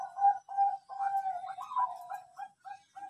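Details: Lure song of a Bangkok zebra dove, played to make birds sing diligently: continuous mid-pitched cooing, long rolling coos breaking into shorter staccato notes, roughly three per second.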